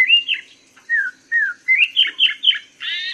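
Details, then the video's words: Poksay mandarin, the black-throated laughingthrush, gives loud whistled phrases: downslurred notes, quick up-and-down warbles repeated in a short series, ending in a rich, harmonic, rising note; quiet room hum behind. "Suara Burung Poksay Mandarin"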